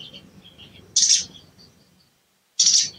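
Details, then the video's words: Lure call of a sooty-headed bulbul, meant to rouse a bird that has stopped singing: soft high twittering, then two harsh, explosive chirps about 1.6 seconds apart with a silent gap. "CUIT CUIT PANCINGAN EMOSI SOGON MACET BUNYI DAN KURANG GACOR"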